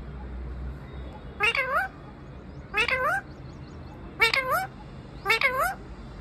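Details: Parrot perched in a tree, talking non-stop: four short, nasal, harmonic-rich phrases that bend down then up, spaced about one to one and a half seconds apart, over a low steady background hum.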